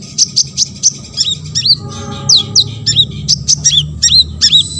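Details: Olive-backed sunbird (konin) singing, meant to prompt other sunbirds to respond; rapid run of high chirps and curled whistled notes, about two or three per second, with a brief buzzy passage midway.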